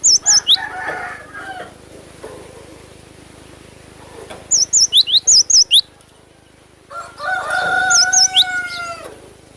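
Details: Cinereous tit singing in short bursts of sharp, high, wavering whistled notes, paired high and lower, repeated at a brisk pace with pauses; a louder, lower drawn-out call from another bird cuts in near the end.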